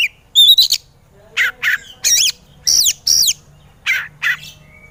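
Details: A white-rumped shama sings on a training track for lazy birds; a few clear whistles followed by spaced, harsh, emphatic notes and short phrases separated by pauses.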